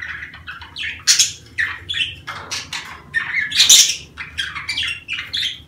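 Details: Budgerigars in breeding season giving lively, warbling chatter of quick chirps and rasping squawks, loudest bursts around the middle, over a low constant hum.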